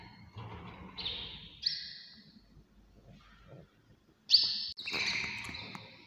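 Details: Early-morning canary song with long, bright rolling trills, two phrases early on, a pause, then a loud burst followed by a longer sustained trill with a lower accompanying tone.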